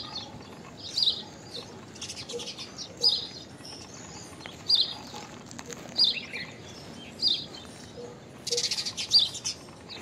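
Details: Common myna giving an unusual call: short, sharp, high chirps repeated roughly every one to one and a half seconds, with a brief noisy burst of chatter near the end over a steady outdoor hiss.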